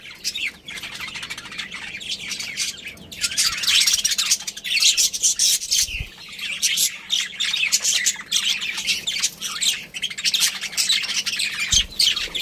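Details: Continuous scratchy warbling and chirping from a budgerigar breeding pair and family, growing louder after the first few seconds, with two faint low thumps in the background.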